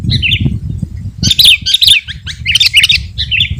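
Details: Sooty-headed bulbul song, intended to lure wild birds and provoke rivals: a few separate bubbly, warbled phrases spaced about half a second apart, against a continuous low rumble.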